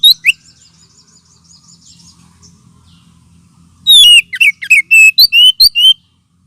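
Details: Oriental magpie-robin lure call, used to lure birds and as therapy for magpie-robins lacking aggression: a brief whistle at the start, then after a quiet pause a burst of about nine loud, clear whistled notes, some rising and some falling.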